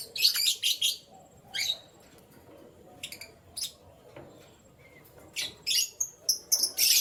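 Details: Canary in the morning with rapid runs of high, sharp chirps, sparse single notes in the middle, then a dense burst of chirps toward the end.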